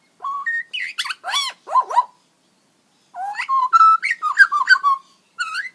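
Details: Magpie giving unusual robot-like sounds: quick sequences of short whistled notes jumping in pitch, swooping chirps, a pause, then more varied whistles and warbles.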